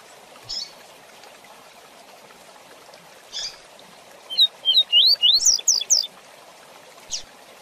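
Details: Tutoring song of the double-collared seedeater, fast 'Tui Tui Zel Zel' type: after occasional soft splashy hisses, a brisk string of about seven high, rising whistled notes, the last ones shriller and tightly packed.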